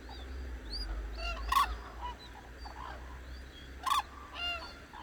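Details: Cranes greet the dawn on the Hantan River in Cheorwon, Korea. Two strong, ringing trumpet calls come about two seconds apart, over a low rumble and soft, scattered calls from the flock.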